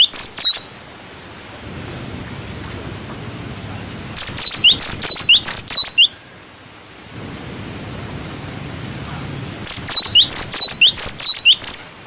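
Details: Cinereous tit 'wucit wucit' song played as tutoring for young birds. Three separate bursts of piercing, swooping whistles come several seconds apart, divided by low rushing background noise.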